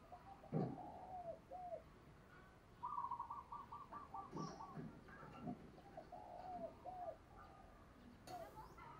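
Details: Calling female dove trying to draw in males, with arched coo notes throughout, a quick buzzy series of repeated notes in the middle, and scattered knocks and thumps nearby.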